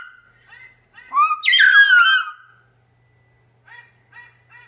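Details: Reacting to footage of himself, a male Double Yellow-headed Amazon gives clipped harmonic notes, then loud sweeping, descending whistled cries, followed by a quiet run of three short repeated calls.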